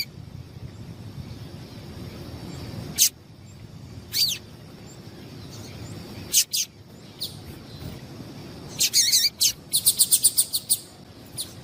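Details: Female yellow-bellied seedeater calling to excite males: scattered high, sharp chirps with long pauses, building into a rapid run of bright repeated notes near the end, over low steady background noise.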